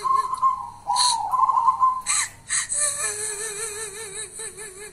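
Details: Local wild-type zebra dove, nicknamed kuntilanak, gives drawn-out whistled coos near one pitch that break into a lower, wavering, quavering tone. Sharp clicks and rustles come through repeatedly.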